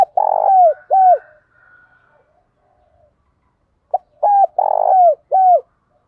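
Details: Spotted dove, male and female voices, cooing to stimulate male birds: the tail of one phrase, a quiet pause, then a full phrase of a short note, upslurred hoot, rolling vibrating coo and a final falling note.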